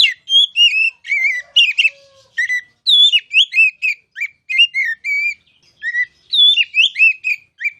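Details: Oriental magpie-robin masteran song for training contest birds: a continuous stream of rich whistled notes, slurred up and down, with chattery flourishes between phrases.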